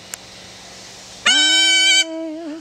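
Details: Pet Yellow-collared macaw, five years old, joins in as its owner sings hymns at home: after a quiet start a bright, rasping steady tone lasts nearly a second, followed by the woman's voice.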